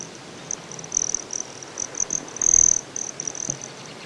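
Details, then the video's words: At Great Sand Dunes, Colorado, a broad-tailed hummingbird gives a rapid run of high, sharp, buzzy notes, swelling into one longer shrill trill mid-way, then more quick chips; quiet background. "Broad-tailed Hummingbird | Nature Sounds"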